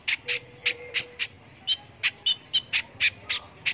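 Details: Brown-throated sunbird (konin) singing gacor-style as tutor audio for competition birds: a steady run of sharp high chip notes, about three per second, some with piercing tops, over a quiet background.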